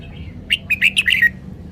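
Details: Red-whiskered bulbul kept in a cage, performing its song phrasing: a single brisk burst of five lively, liquid whistled notes that slide down at the close. A quiet hum runs underneath.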